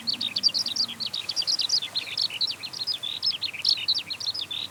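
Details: Skylark in song flight delivering loud, rapid chirps and rolling trills, notes jumping up and down in pitch in an endless chattering flow.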